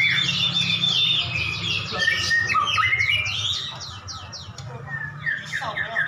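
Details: Two prize white-rumped shamas in cages dueling; rapid series of repeated downslurred whistles, about four a second, then richer varied warbling, fading slightly toward the end, with a low hum beneath.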